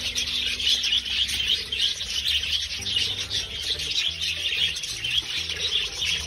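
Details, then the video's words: Pet parakeets feeding together as a family give busy, unbroken high chirping and warbling chatter in many overlapping voices, with faint background music low in the mix. "Parakeets eating as a family"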